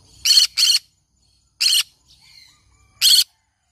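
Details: Green-cheeked conure, a pet parrot, giving four loud, harsh, buzzy squawks: two in quick succession near the start, one after about a second's pause, and a final one near the end, each short and rasping.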